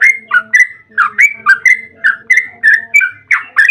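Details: Yellow-vented bulbul singing a long 'ropel panjang' song, used as a lure to draw other bulbuls into singing. Rapid bubbly whistled notes with quick upward and downward slurs are repeated almost without pause, with a faint low hum underneath.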